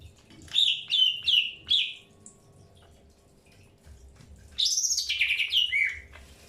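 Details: Greater green leafbird during early pairing: four evenly spaced, sharp chirps, a quiet pause, then a loud, buzzy warbled phrase that wavers and ends on lower slurred notes.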